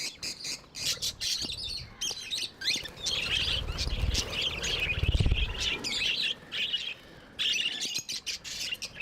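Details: Pet budgerigars chirping in a cluttered, overlapping stream of short high twittery notes and warbles, with brief pauses, over low rumbling background noise.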